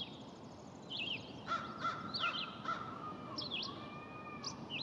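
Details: A Red-eyed Vireo sings short, slurred whistled phrases about a second apart over a steady hiss, in W. Lawrencetown, Nova Scotia, on June 4, 2020; another bird gives a lower, evenly repeated note.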